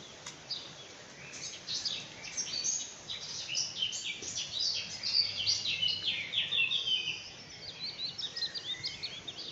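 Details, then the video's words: Several birds sing together in an early-morning dawn chorus of high, rapid chirps and twittering phrases, overlapping continuously with faint background noise. "Canto uccelli primo mattino"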